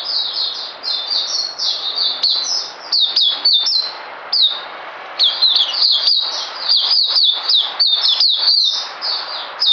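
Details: Oriental white-eye, known to keepers as puteh, pouring out continuous high-pitched chattering warbles, dense and scratchy, with sharp ticking accents scattered through the phrase.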